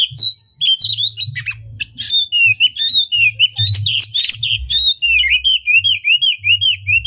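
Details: Oriental magpie-robin in full energetic song, tail spread, played to stir other magpie-robins to sing: rapid varied whistles, trills and zigzag notes pouring out almost without pause, with a low background hum.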